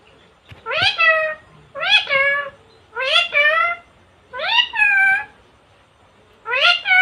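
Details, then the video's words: Talking pet parrot, female, from India saying the same two-part word five times in a row, roughly once per second and a half, each clear, rising, then flat. "talking parrot"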